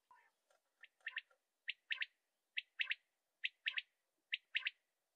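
Common quail giving its liquid three-note 'wet-my-lips' phrase: one sharp note, then a quick pair. It repeats about once a second, high and clear over a quiet background.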